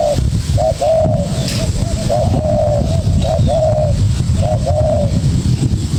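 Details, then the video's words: Young spotted dove calling vigorously in challenge to a decoy bird: short low cooing notes, sometimes paired, repeated about eight times over six seconds, against heavy low rumbling background noise. "Chim cu gáy"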